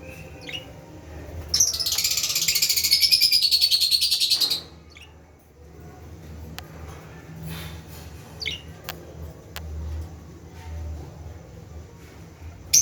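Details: Lovebirds calling: a loud, harsh, buzzy burst of rapid chattering lasting about three seconds, followed by a few short, sharp chirps over quiet room background.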